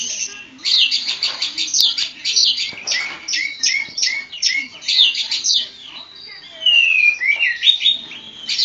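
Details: Oriental magpie-robin of the Javan 'kacer poci' type, tame and singing vigorously, delivers dense bursts of high, scratchy whistled notes with rapid trills and sweeping rising-falling slurs, phrases running almost continuously with brief gaps.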